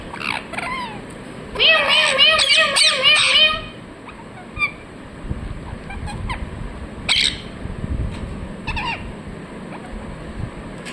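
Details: Ringneck parrot giving a burst of rapid harmonic chirps for about two seconds, then scattered single squeaky calls over a steady background hiss.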